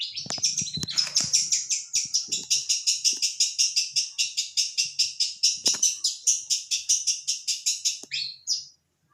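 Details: Pentet, or long-tailed shrike, delivering a long steady series of scratchy high notes, nearly three per second for about eight seconds, ending with a short squeaky flourish.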